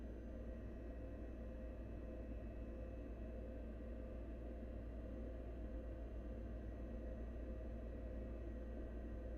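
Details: Low, constant mechanical hum and rumble with faint steady tones, with no animal sound.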